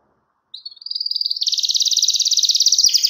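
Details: Canary song used to call a rival and prompt a silent bird to sing again: after a brief pause, a high thin trill that speeds into a rapid, buzzy rattle of repeated notes, stepping lower at the end.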